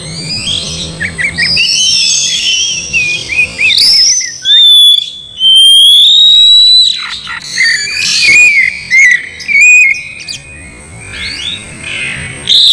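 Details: Oriental magpie-robin song, slowed, meant to provoke singing and fighting: a buzzy, noisy opening, then long clear rising whistles, sharp descending strokes, and a run of short repeated notes, loud and varied.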